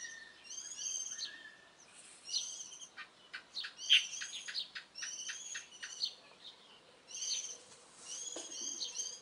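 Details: Birds heard in the early morning in mid-April, a busy run of repeated stacked notes and clicky chirps following each other every second or so across the whole recording.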